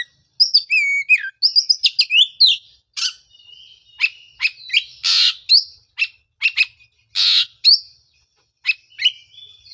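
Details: Oriental magpie-robin song used to stimulate a bird that stopped singing after moulting: varied rich phrases of clear whistles, fast chirps and harsh buzzy bursts, high-pitched, with short pauses between notes.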